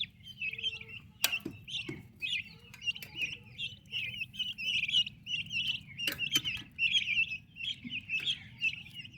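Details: Active turkey chicks under mother care keep up a run of high, trilled peeps, each lasting about half a second. Several loud clicks and taps cut through the chatter.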